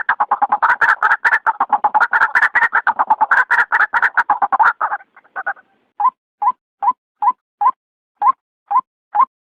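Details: White-breasted waterhen at night, sound played to lure birds. A frantic jumble of harsh croaks for five seconds settles into single hoarse kwak notes spaced about half a second apart.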